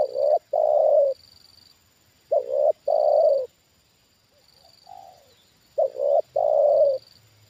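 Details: Decoy spotted dove reacting to a wild bird on its second descent: three rhythmic phrases of deep coos, each a clipped two-note start then a drawn-out hollow note, separated by quiet gaps and soft murmurs, with a faint high whine.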